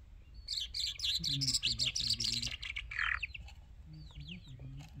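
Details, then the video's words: Singing Irani Jal bird delivering rapid, scratchy twittered notes in a dense run, then a harsher rasping note and a few separate upslurred whistles, with a low humming background. "Irani Jal Bird Full Singing"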